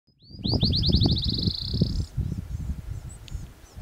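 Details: Black-chinned Sparrow singing at Red Rock Canyon National Conservation Area on April 4, 2014: a high, sweet trill of about fifteen notes that speeds up like a bouncing ball, over steady low wind rumble.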